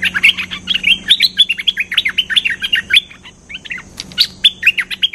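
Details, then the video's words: Cream-vented bulbul lure call: a rapid, busy run of bright chirps and short warbled phrases, almost without pause, over a faint low hum. "Suara pikat merbah lekir gacor"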